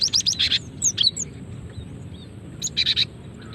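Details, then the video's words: Cinereous tit female call meant to trigger singing in other birds: rapid clusters of bright, high-pitched chirps and short rising whistles, two bursts separated by a brief pause, over faint background hiss. "Suara asli gelatik betina untuk pikat dan pancingan"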